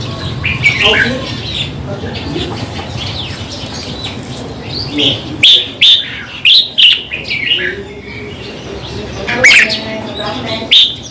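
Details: Red-whiskered bulbul song, played to caged birds to excite them: short warbled phrases with bright chirps at irregular intervals, several loud bursts clustered in the middle, over a low background hum.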